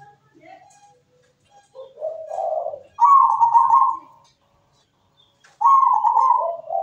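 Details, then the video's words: Perkutut (zebra dove) song meant to stimulate other doves: soft low cooing builds into a rolling phrase, then two loud level coos, the second sliding into lower notes. "MEWAH PERKUTUT GACOR SUARA MERDU"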